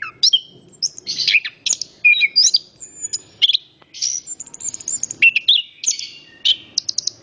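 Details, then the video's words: Orange-headed thrush in full song: varied whistles, sweeping slurs, chattering notes and a quick rattle at the end, phrases coming in rapid succession with short breaks. "Anis kembang Istimewa Gacor banget ,suara burung"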